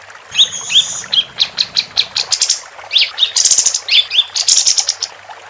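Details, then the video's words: Female capped white-eye singing persistently: rising whistled upslurs alternate with rapid, buzzy high chatter in quick bursts. Faint low rumble early on. "Kapas Tembak Betina Gacor"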